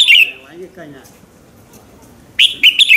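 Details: Red-whiskered bulbul morning song meant to trigger other birds to sing: ends of a whistled phrase, a long quiet stretch with faint low sounds, then a fresh run of four loud, sharp, slurred notes.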